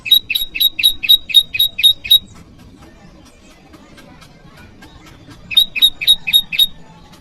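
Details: Bar-winged prinia calling at a rival, recorded as lure and training audio: a quick series of about nine sharp, high chips, a silence of over three seconds, then another burst of six chips.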